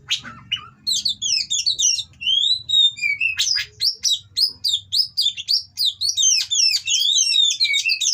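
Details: Oriental magpie-robin in a breeding setting, its mating song used to provoke rival birds: a rapid, varied run of sharp whistled notes, slurred rising and falling phrases and harsh chips, mostly high-pitched, with faint low rumble early on.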